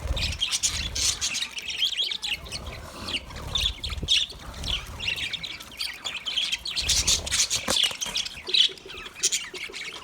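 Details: A group of budgerigars eating food keeps up continuous scratchy chatter of high chirps and squawks, with louder surges near the start and around seven to nine seconds.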